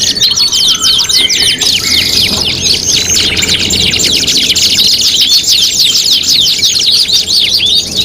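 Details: Canary song used as a tutoring recording for competition: dense, rapid high trills and chattering runs pour on without pause, with a few thin whistled notes laid over the busy song.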